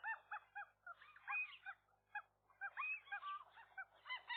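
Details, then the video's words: Seagull couple defending a roof nest against a single gull that tried to get between male and female, morning of 4 April 2023. Quieter clusters of nasal, honking cries arrive in two bursts separated by a brief lull, over a low steady hum. "seagulls, gull wrestling"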